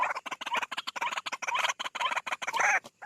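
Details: White-breasted waterhen call used as playback to draw the birds from bushes: a dense rapid run of harsh, croaking, clucking notes with almost no pauses, rising into a louder burst near the end.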